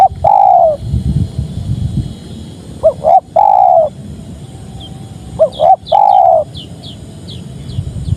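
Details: Repeated cooing of a spotted dove: paired brief notes leading into a long mellow coo, three phrases in all, with a few thin high chirps from another bird near the end.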